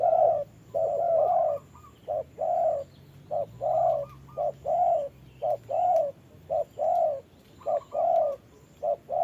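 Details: Decoy spotted dove in a trapping setup, fighting a wild dove during rain: repeated low hollow coos, single and paired, about once every second, over a quiet background hum.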